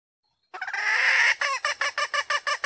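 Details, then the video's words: Female red junglefowl from Sumatra, a call used to lure males to approach or crow: a drawn-out harsh nasal note, then clipped cackling notes repeating about four per second. "Suara Ayam Hutan Betina"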